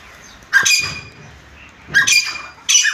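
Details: A grey francolin raised at home for breeding gives three loud, harsh, shrill squawking notes about a second apart, with a faint background hum.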